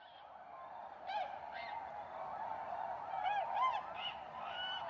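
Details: Tundra swans returning in spring to Goose Pond, Columbia County, south-central Wisconsin, USA, in March 2016: a steady murmuring chorus of many distant birds with a few clearer, higher honking calls rising above it.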